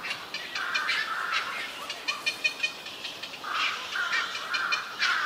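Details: Energetic young black-crowned night herons at a heron and cormorant colony on a bird island at the junction of Yokojukken Shinsui and Sendaiborigawa parks, June 1, 2023, giving grating, nasal calls with buzzy stretches and short clustered squawks from several birds.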